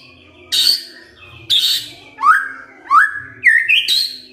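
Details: White-rumped shama kretekan fighter sound meant to provoke a reply from other shamas: five separate calls about every three-quarter second, harsh scratchy bursts first, then rising whistled upslurs.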